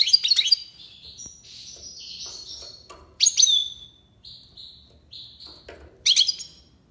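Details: European goldfinch from Algiers in tiwawati song: energetic jangling bursts mixed with drawn-out, wavering whistles and short level notes, in a varied, continuous sequence.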